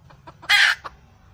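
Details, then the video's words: Single loud, harsh squawk from a wild red junglefowl hen, set between soft clucks just before and after it. "suab poj qaib qus seev"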